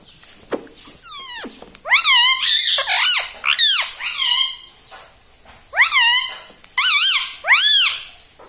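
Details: Talking rose-ringed parakeet at home saying "mummy" over and over: clusters of arched, harmonic, squeaky syllables in pairs and threes, each group separated by brief pauses, quiet room.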